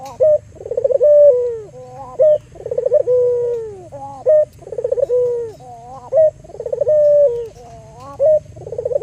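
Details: Local albino Barbary dove calling, used as a lure to stir other doves into calling: a short clipped note followed by a long rolling, purring coo that slides downward, repeated about every two seconds over a steady low hum.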